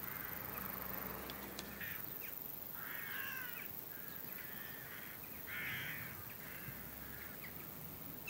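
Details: Before a storm, a flock of western jackdaws gives harsh, clipped calls in uneven bursts, roughly every second or two, with some overlapping. A low hum runs through the opening seconds, and wind noise continues throughout.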